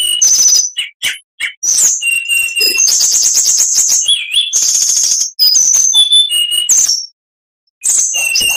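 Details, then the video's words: Oriental magpie-robin singing a long mimicking medley: scattered whistles, sustained high rattling trills and a low wavering whistle, a brief silence, then more high notes. "MASTERAN KACER .MATERI FULL ..awas nanti burung anda ikut gacor.!!"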